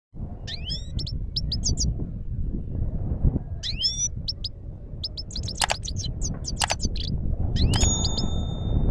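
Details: Himalayan goldfinch singing in Parachinar: bursts of high, bright twittering and slurred whistles in short phrases, separated by pauses, over a steady low rumble of background noise.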